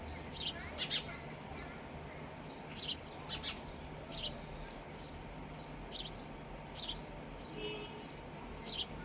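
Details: Young sparrows being given raw insects by a parent: frequent short, high, falling cheeps, often in pairs, scattered through the recording above a continuous thin high-pitched hum.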